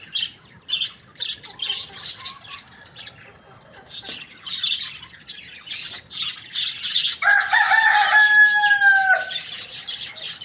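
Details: Rooster crowing loudly in the morning: one long, harmonic-rich crow of about two seconds that holds steady, then drops at the end. It follows a steady chatter of high, busy chirps from many small birds.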